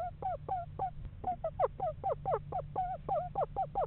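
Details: Eastern screech owl of a pair checking out a house in November; quick, quavering notes tumble and waver in pitch, repeated in a fast, uneven series with a faint low background hum.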